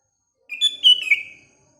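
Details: Sooty-headed bulbul singing in the morning, other birds around: a single quick bubbly phrase of several clear whistled notes, slightly descending at the end.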